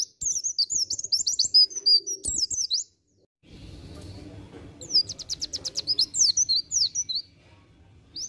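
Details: White-eye (pleci dakun) giving ngriwik song: dense, high, fast chirping phrases of sweeping notes, a short silence, then another long run of rapid high twitters over faint low background noise.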